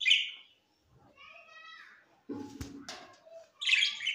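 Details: Parrot recorded September 13, 2023, giving loud harsh chirps at the start and end, with a softer harmonic warbling passage and a brief low voice-like sound in between.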